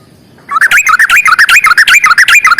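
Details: Sooty-headed bulbul giving a long rapid 'ropel panjang' fighting song: after a short silence, a fast unbroken stream of loud, warbling notes swooping up and down, about eight notes a second.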